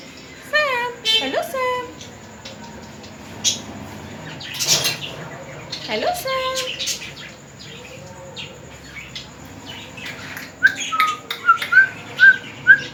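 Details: Pet talking parrot mimics human speech with its owner, producing voice-like tonal phrases at intervals, followed near the end by a run of short whistled notes; music and a person's voice in the background.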